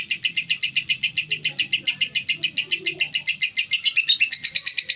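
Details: Female lovebird calling in a steady run of harsh, high-pitched chips, about two per second, with faint low background noise.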